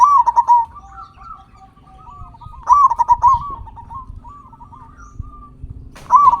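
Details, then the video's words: Zebra dove song used as a lure to excite silent caged zebra doves and get them singing fast: three bursts of quick, bubbling coos about three seconds apart, with soft wavering notes in the gaps. "Perkutut Lokal Gacor Suara Besar Pancingan Burung Perkutut Agar Cepat Bunyi"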